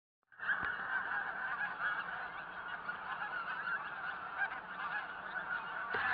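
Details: Pink-footed geese in Norway: a dense, continuous clamour of many overlapping honking and yelping calls from a large flock, steady throughout with no pauses.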